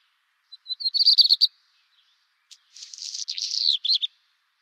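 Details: Redstart song: a brief faint note, then repeated bright high notes building in strength, silence of about a second, and a dense, buzzy, twittering phrase ending in two or three slurred notes. Otherwise still.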